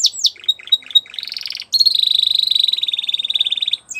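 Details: Training song of a Spanish Timbrado canary: a few sharp chips and short bursts, then a long, even, bubbling roll held on one high pitch for about two seconds.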